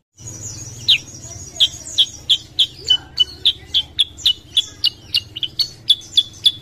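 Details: Sooty-headed bulbul recorded as a lure to prompt other birds to sing: a fast run of sharp, high chirps, about three per second, growing steadier and louder after a soft start, over a low steady hum.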